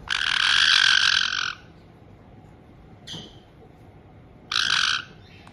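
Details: White-bellied caiques kept indoors in Tokachi, Hokkaido, June 2023, a resident pair greeting a young newcomer just over two months old: a long, loud, raspy screech for about a second and a half, a brief scratchy note, then a shorter harsh burst.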